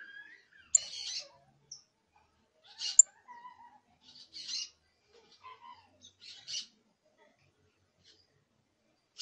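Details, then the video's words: Young canary giving its first songs, trills and harsh chattering: sparse, scratchy, high noisy bursts separated by silences, with a few faint thin whistled notes in between, in an otherwise quiet setting. "Pichón de CANARIO soltando sus primeros cantos, trines, Charrasqueando"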